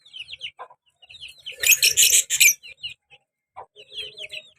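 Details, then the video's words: Caged pair of lovebirds, colour male with black-masked female; scattered short high chirps, a loud harsh burst of squawking in the middle, then more sparse sharp chirps. "colour love bird male and black mask female beautiful sounds"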